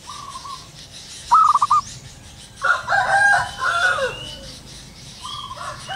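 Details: Local zebra doves in the wild at morning: stuttering cooing phrases near the start and end, a loud rising note with rapid coos, while a rooster crows harshly in the middle.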